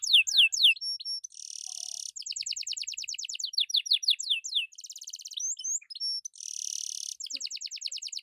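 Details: Vigorous canary song for training and prompting quiet birds: varied phrases alternating sweeping downslurred trills, harsh buzzy rattles and fast rolling note series, changing pattern every second or so.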